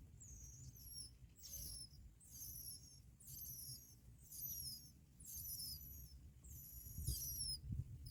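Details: Bar-winged prinia chicks begging as both parents bring black locusts to feed them; thin, high, sharply descending squeaky calls come in bursts roughly every 0.7 seconds over a low rumbling background.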